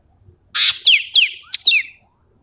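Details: Common green magpie from Sumatra singing vigorously: a broad harsh rasping note followed by four quick sharp whistles sliding steeply downward, all within about one and a half seconds, clean background.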